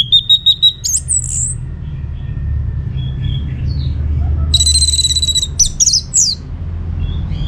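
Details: Orange-headed thrush song played to draw answers from other birds: quick repeated whistled notes, a high slurred phrase, later buzzy rattling bursts and sharp notes, with a low background hum.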